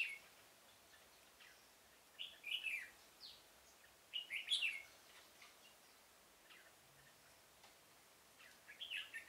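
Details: Red-whiskered bulbul singing as a trapping decoy in a pomelo garden, 25 October 2017. Three bursts of lively, slurred, whistled notes are separated by pauses, against steady background hiss.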